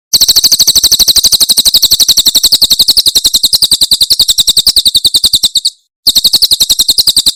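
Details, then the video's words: Javan prinia 'tembakan' song from Cililin, a clear tutor recording for caged birds: an extended, quick-fire stream of shrill, high notes with even spacing, a short gap, then the rapid chirping resumes. "Masteran Tembakan Cililin SUARA SUPER JERNIH"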